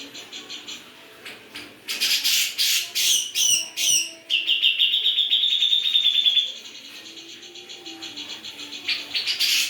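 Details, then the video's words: Vigorous gacor song from a grey-cheeked bulbul: soft chatter, a row of loud harsh rasping notes, then a sustained fast trill for over two seconds, with scratchy notes resuming at the end. "Cucak jengot gacor"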